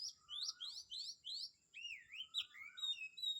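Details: Morning birdsong at Kamphaeng Saen, Thailand: a rapid run of bright, rising whistled notes repeated about every quarter second, then warbled sliding phrases, over a steady high insect-like hum.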